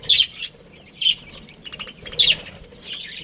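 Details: Budgie family chirping: sharp, high, slightly buzzy chirps come roughly once a second, with quieter chatter between them.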